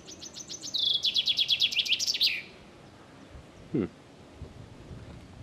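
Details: A chaffinch encountered on a walk in Caputh, Germany, gives one full song phrase: high notes, a quick descending trill of about a dozen notes, and a bright terminal flourish; a person murmurs briefly afterward.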